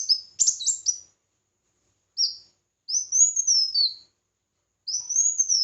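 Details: Red-whiskered bulbul singing competitively, a jumbled opening of sharp high notes, a short downslurred whistle, then two long arched warbling phrases.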